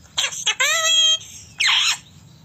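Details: A rose-ringed (Indian ringneck) parakeet calling, described as a 'kiss kiss' calling sound: two quick high chirps, a held even squeal, then after a pause a harsh, raspy squawk.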